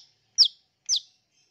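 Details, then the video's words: Long-tailed shrike on a lure recording meant to draw fast responses from forest-caught young birds; two loud, sharp, down-slurred notes half a second apart, clean against silence. "COBA PANCING SUARA CENDET FULL ISIAN INI PASTI CEPAT RESPON"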